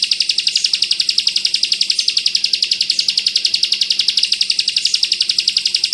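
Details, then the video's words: Bar-winged prinia (ciblek) in the rapid-fire 'bren rapat ak 47' style used to tutor white-eyes: high, sharp notes repeated evenly at about four per second, continuous throughout. "Masteran burung ciblek kristal bren rapat ak 47"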